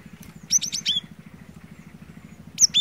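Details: Cinereous tit in energetic song, played to stir a silent bird into singing: two short bursts of high, sharp whistled notes, the first of four quick notes, over a steady low rapid pulsing hum.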